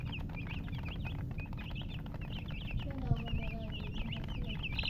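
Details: Many chicks chirping together, a dense stream of short high peeping notes with quick up-and-down inflections, over a steady low rumble and a few faint lower sliding sounds.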